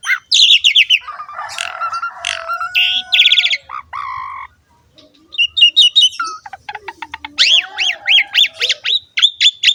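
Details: Asian pied starling song for training young birds: rapid high warbling and harsh buzzy notes, a short pause, then chattering phrases and a run of repeated looping whistled notes.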